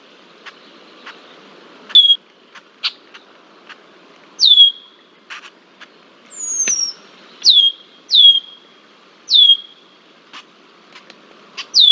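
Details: Persistent red-winged blackbird harassing a juvenile bald eagle in Decorah, Iowa, 20 July 2023: repeated high downslurred whistles settling into a steady thin tone, roughly every second, amid ticks and one looping whistle.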